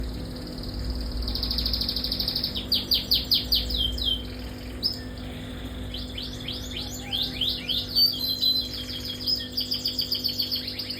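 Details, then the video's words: Canary singing a long-duration song in the style called durasi 30up: rapid trilled phrases and repeated upswept high notes in quick runs, with a steady low hum in the background. "WISANGGENI durasi 30up"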